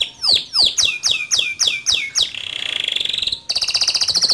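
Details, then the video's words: Singing male canary used as a tutor for young canaries: seven loud downslurred notes in steady rhythm, followed by a smooth buzzy roll and a higher rapid trill. "Suara Kicau Kenari Jantan Gacor Ngerol Nembak Cocok Dijadikan Masteran Kenari Muda"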